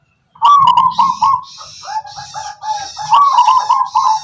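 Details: Local wild zebra dove of the Tuban tangguh type, known for a distinctive rhythmic, lilting song: mid-pitched warbled cooing phrases in quick succession, with sharp higher clicking notes layered above and low rumbling beneath.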